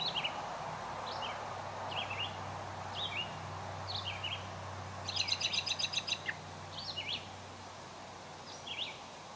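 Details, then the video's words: American robin at a birdbath on a warm summer day in 2022, bathing and singing short, slurred caroling phrases about once a second; a brief burst of rapid high chatter from another bird and a low steady hum underneath. "American Robin Visits the Birdbath and Sings Its Song"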